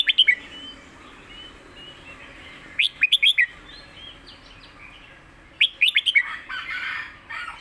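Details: Master song from a competition red-whiskered bulbul: three clear bursts of quick, bubbling notes roughly every three seconds, with steady background chirping from other birds.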